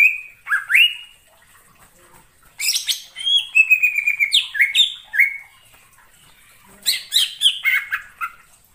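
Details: Greater green leafbird in the wild forest giving separated phrases of harsh broadband chips followed by descending slurred whistles, with quiet gaps between the bursts.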